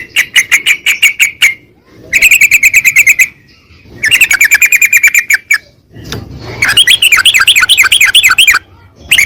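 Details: Sooty-headed bulbul (trucukan) song used as a training recording: loud bursts of rapid buzzy notes around a steady pitch, then a run of quick rising-falling whistled phrases, with short pauses between bursts.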